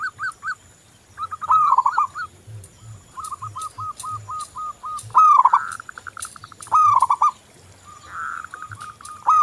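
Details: Local zebra dove singing vigorously as a lure to set other doves singing. Repeated rising rolled coos and trains of staccato notes, possibly from more than one bird, with sharp clicks and taps between phrases.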